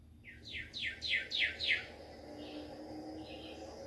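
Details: Cardinal song, heard in a backyard in springtime: a quick run of about six bright, clear whistles, each slurring downward, then two softer notes, over a low steady hum.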